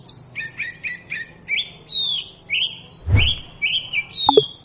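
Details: Oriental magpie-robin singing: a run of short chirpy notes, then clear whistled phrases that slide and hold, one with a sharp upward sweep; a brief thump and a click break in near the end.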